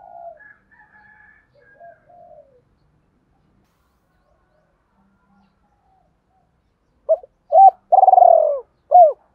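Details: Spotted dove lure cooing, a double coo used to attract doves: after a faint murmuring start and a long silence, four low, rounded coos arrive close together near the end, the third drawn out and falling.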